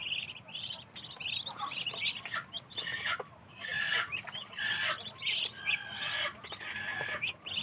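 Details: Several ducklings kept in a cage give a dense chorus of high, shrill peeps that overlap and come in quick bursts, with short pauses between louder clusters.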